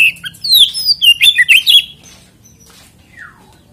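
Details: Oriental magpie-robin lure song played to make other magpie-robins sing: a short rush of slurred whistles and chirps for about two seconds, then near quiet with one faint descending whistle.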